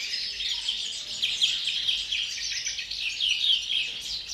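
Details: Captive European greenfinch singing in the pre-breeding period: an unbroken stream of rapid, high twittering and chattering trills with slight rises and falls in loudness, continuing without pause for over four seconds.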